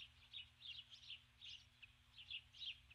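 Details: Dusk at an osprey nest, 21 July 2015: the female, who landed with a stick, keeps calling for her mate with rapid, bright, high chirps in short irregular bunches.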